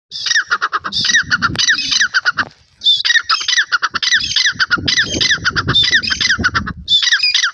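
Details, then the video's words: Young partridge-type francolin chicks in their first days calling: harsh, grating squawks in fast rhythmic bursts lasting a couple of seconds each, separated by short pauses. "new partridge bird call in first days,pheasants birds calling"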